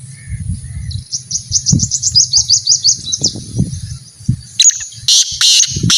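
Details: Kept partridge, part of a training routine meant to make the bird call more; a fast run of about a dozen thin, high chattering notes is followed by loud, harsh, rasping bursts, over low rumbling background noise.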